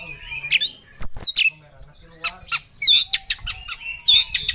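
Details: Oriental magpie-robin in full emotion, looking for a rival: bright looping whistles and swooping high notes broken by harsh squawks, lively and irregular.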